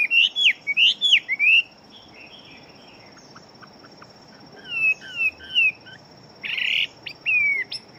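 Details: Big-bodied fighting Chinese hwamei. A burst of loud, swooping, down-slurred whistles is followed by a quiet gap, then softer whistled phrases, a brief harsh rasp and one more clear whistle. A faint high hum persists.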